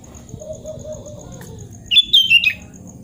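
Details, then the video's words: Eager sooty-headed bulbul song meant to coax a silent bulbul back into singing: soft low background tones, then a sharp, ringing phrase of clear whistles, several notes stepping down in pitch. "KUTILANG GACOR SUARA ASLI ~ TERAPI KUTILANG MACET BUNYI"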